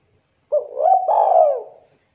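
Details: Spotted dove, a local bird, giving its lively song as a lure for other doves: a single mellow coo phrase, with a brief upward-inflected opening and a long, sliding, gently descending final note against a quiet background.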